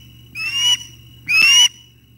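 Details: Osprey at the nest in the early morning, 06:25 on 9 August 2021, as the male brings breakfast and a chick takes it; two loud, slightly rising whistled calls with harsh overtones, each under half a second, over a steady low hum.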